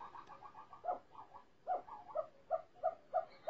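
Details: A captive snowcock, caught a month and a half earlier, has now started singing: a steady series of mid-pitched whistled notes, about three a second, some slurring downward, over faint background hiss.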